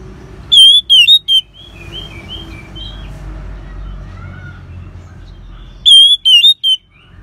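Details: Ngeban-style song of an Orange-headed thrush, played to spur caged birds into song: short groups of three or four ringing whistles at start and end, with a soft run of gliding warbled notes between them.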